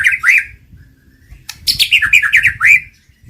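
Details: White-rumped shama, played as a lure to trigger singing and mating. Harsh, scratchy chattering notes mix with short sliding whistles in two bursts, the second longer and busier. A low rumbling hum runs beneath.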